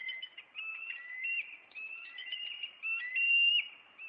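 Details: Bald eagle nest pair in Maine on April 26 confronting an intruder eagle; a nearly continuous run of high, thin whistled notes, some rising and some stuttering, overlapping one another with no pauses.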